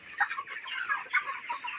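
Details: Twenty-nine-day-old broilers on a poultry farm: a crowd of chirps and clucks with a couple of louder bursts standing out against the steady background chatter.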